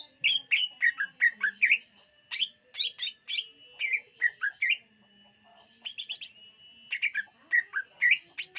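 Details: Greater green leafbird song used for luring birds: rapid runs of bright whistled and chirped notes around mid-high pitch, with short pauses, some squeaky upslurs and a steady faint tone in the background.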